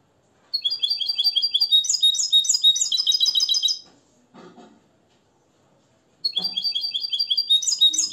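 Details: Captive Moroccan European goldfinch, raised from the nest and schooled in limpio song, delivers rapid repeated high chirping notes rolling into tinkling trills, pausing briefly with faint handling noise before the twittering run starts again.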